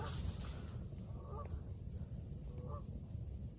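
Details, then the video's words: On 29 March, in coastal nesting season, probably two Canada geese call from an island: faint double-noted honks at intervals, partly buried in loud low rumble of wind and water. "I still hear those Canada goose over there."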